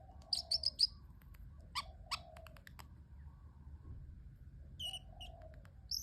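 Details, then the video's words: Pet parrotlet: a short burst of rapid high chirps, a few sharp clicks, then sparse thin calls over a low background hum. "parrotlet making cute sounds"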